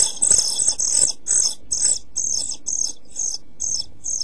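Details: Hungry European pied flycatcher nestlings in a nest box during heat and food shortage, 27 June 2013, give high, sibilant hissing begging bursts in quick succession, roughly two each second, loudest at first and then softer.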